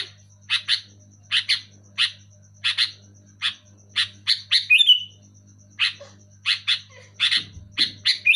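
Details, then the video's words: Sooty-headed bulbul in full loud voice: evenly spaced paired chirps that speed up into a squealing slur, then resume in quick doubled bursts, with a low background hum. "Suara burung kutilang gacor keras jelas"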